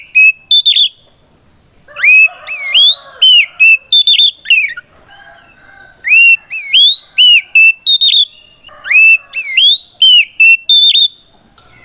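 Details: Fighting song of an oriental magpie-robin, loud and continuous, used to provoke rival magpie-robins into singing back: three bursts of rising whistles, level notes and sharp chips separated by brief pauses.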